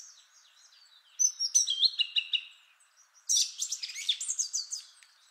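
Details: First of three song thrush males, rich song with long complex phrases: a sequence of clear whistled notes followed by a dense, high chattering phrase.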